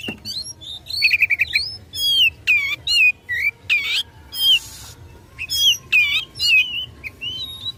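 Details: Kacer, the Oriental magpie-robin, singing aggressively to provoke rivals: clear slurred whistles, repeated rising and falling notes and a few harsh rasping bursts, delivered in short loud phrases with short pauses.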